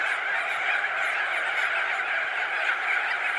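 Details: Crested auklets, thousands of birds perched and wheeling, recorded medium close: a dense, unbroken din of overlapping honking, trumpeting calls blurring into a steady roar with no single voice standing out.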